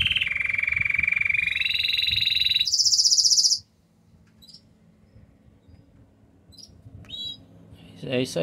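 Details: Belgian canary with intense yellow plumage in full song: a buzzy rolled trill that steps up twice to higher, thinner tours, then stops, leaving a few short separate chirps and a final sharp note.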